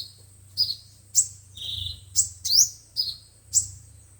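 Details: Lure recording of five-colored and seven-colored sunbirds for speaker trapping: piercing high upslurred notes and short flat chirps, evenly spaced about every half second, over a soft low rumble.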